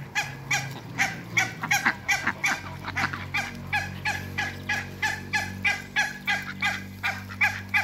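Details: Two pairs of backyard African geese, kept alongside Muscovy ducks, keep up a long, rhythmic series of loud nasal honks at roughly three per second, with a low continuous hum beneath.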